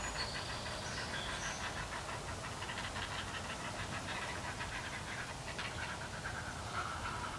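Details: Nestling herons, three nearly grown young, demand food from an adult in a steady stream of fast, dry clicking notes, with a couple of high whistled tones at the start.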